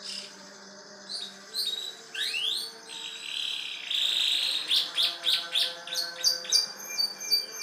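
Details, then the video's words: Actively singing canary in a bar-winged prinia style. The song has sweeping upward slurs, then a sustained buzzy passage, then a quick series of sharp, high, regularly repeated trill notes. A faint electrical hum sits in the background. "Kenari gacor rasa ciblek"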